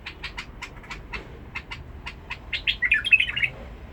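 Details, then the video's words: Harsh-voiced Badrawi-style full song of a bulbul from Basra: a run of sharp, evenly spaced dry ticks leads into a short, loud, gurgling warbled phrase with bubbly, throaty notes. "بلبل فول بصره بدراوي نبره صوت خشن"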